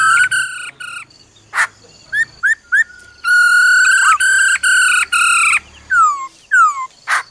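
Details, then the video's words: Female laughingthrush calling "ro ro" to stir a male: bright, ringing whistled phrases in quick pulses, a harsh burst, three short hooked whistles, another long stuttering phrase, then falling slurred whistles and a final raspy note. "Khướu mái ro ro kích trống"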